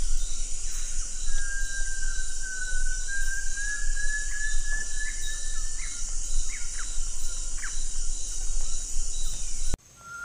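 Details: A long gliding whistle from a great tinamou, rising slowly and then leveling off, with scattered short chirps and a steady wash of cricket noise overhead.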